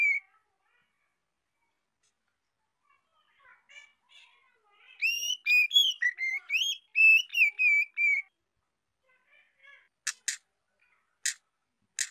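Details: Young female white-rumped shama singing to stimulate males: a few soft notes build into a rapid three-second phrase of clear, looping whistles that rise and fall, followed by several sharp clicking ticks.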